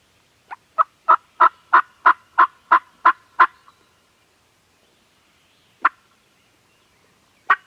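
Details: Canon G7X recording of farm turkeys gobbling: a quickly building series of about ten harsh pulses, evenly spaced and growing louder, then silence broken by two single bursts.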